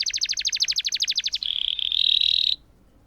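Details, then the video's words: Canary rolling in song to spur silent canaries: a rapid pulsed trill of about one and a half seconds flowing into a sustained, buzzy, level tone that stops abruptly. "Burung Kenari Gacor Ngerol Panjang Untuk Pancingan Kenari Macet"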